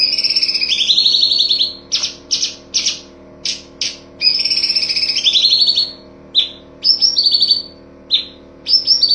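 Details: Full tembakan master of a cucak cungkok for songbird training: stepped high trills dropping in pitch, interspersed with loud separate broadband chips in quick succession.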